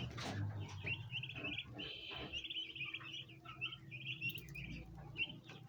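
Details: Domestic bronze turkey poults crowd together at a basin of ornamental plants, wanting to feed. Bright, high chirps come in quick clustered runs over a low background rumble.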